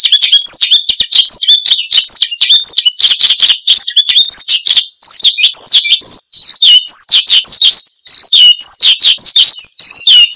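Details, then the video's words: A Horsfield's bush lark sings energetically, pouring out a fast, unbroken song of high chirps, trills and slurred whistles, tumbling from note to note with barely a pause; the song is meant as a lure and tutor song for other birds. "Kicau Burung BRANJANGAN Gacor"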